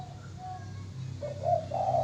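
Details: Spotted dove singing in the manggung style: soft, low hooting coos, faint at first, then a louder run of full, slightly wavering notes near the end, over a steady low background rumble.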